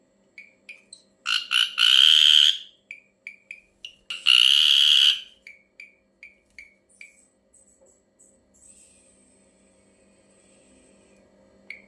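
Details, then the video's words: Strange calls of an ashy drongo: quick short chips broken by two long, harsh, grating bursts, then more clipped notes at about four per second. A thin, faint high whistle follows before near silence. "suara aneh burung srigunting abu abu"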